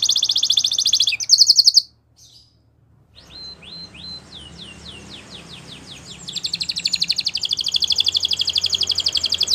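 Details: Belgian canary singing a rapid trill that stops abruptly, a near-silent pause, then soft curved whistled notes building into a loud, dense, even trill. A faint background hiss runs throughout.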